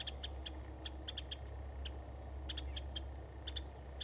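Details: Winter wren recorded February 11, 2011 at Hassayampa River Preserve: a quick series of crisp, clicking chip notes, singles and close pairs, repeated every fraction of a second against a constant low-pitched background drone.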